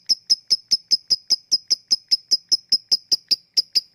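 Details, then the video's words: Lovebird 'ngetik' ticking, recorded as a lure for lovebirds that are lazy to sing. Crisp, high-pitched clicks at an even pace of about two and a half per second, clean and uninterrupted. "Ngetik lanjut ngekek@Pancingan untuk Lovebird yang malas bunyi"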